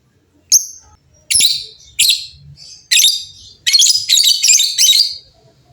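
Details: Lovebirds in a noisy exchange, many birds answering one another; sharp high chirps and harsh squawky bursts at uneven intervals, ending in a quick run of rapid chattering notes.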